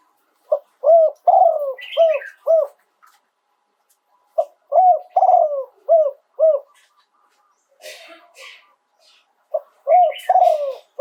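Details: Spotted dove in Thailand giving the 'yon 2 kuk' song with well-turned phrasing: three phrases of about five deep, arched coos each, separated by pauses. Soft rustling and clicking sounds come between the phrases.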